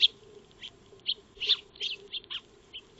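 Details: Eurasian tree sparrows feeding in a backyard, picked up by a solar wildlife trail camera: a lively run of short, sharp chirps about every quarter to half second, uneven in loudness, with a faint steady hum beneath.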